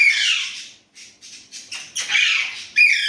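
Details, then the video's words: Talking Indian ringneck parrot, which speaks Urdu/Hindi, gives harsh raspy bursts: a long loud rasp, then a string of short scratchy syllables rising toward a second grating phrase and a final sharp note. No other sounds. "Indian ringneck parrot amazing talking parrot"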